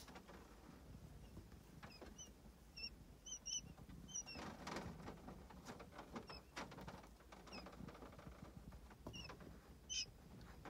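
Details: Nine early-hatched common quail chicks. Thin, high peeps come in a quick cluster of about six between two and four seconds, then scattered single peeps. Soft rustling and low background rumble run underneath.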